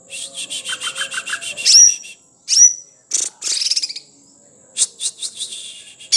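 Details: Sumatran leafbird song with fast repeated chips, a couple of sharp whistled notes and dense rattling trills, over a constant thin high whine.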